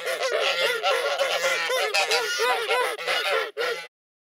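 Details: Aggressive geese warning off enemies with loud chatter: rapid overlapping nasal honks from several birds, about three per second, continuous and then breaking off abruptly into silence.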